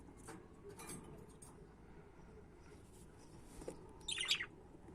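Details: Budgerigars give faint scattered ticks and chirps, then one louder burst of rapid, raspy chattering near the end, over a low steady hum.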